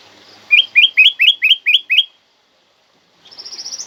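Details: Black-crested bulbul giving a loud, clear song used to prompt other kept birds to sing: seven quick rising whistled notes in a regular run, a pause, then a thinner high rising trill.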